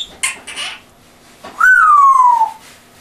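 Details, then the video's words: Pet African grey parrot with an English accent, indoors: a few short soft sounds, then one loud clear whistle that jumps up and slides slowly downward for about a second. "English Accent African Grey. Amazing voice!"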